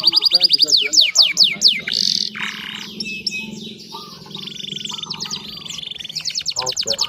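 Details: Canary song used as a training lure for a bird that has stopped singing: rapid trills of repeated sweeping notes, buzzy rolls and long rattling tours, with a low hum and faint extra sounds beneath.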